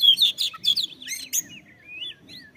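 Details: Oriental magpie-robin song meant to spur other birds into singing: quick bright whistled phrases and chattering notes, then softer drawn-out slurred whistles, over a faint low hum.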